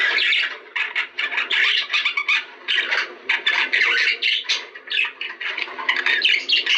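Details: Warbling budgerigars, a recording aimed at encouraging breeding: rapid stuttering chirps and squeaks packed tightly together, scratchy high-pitched chatter continuing with only tiny breaks.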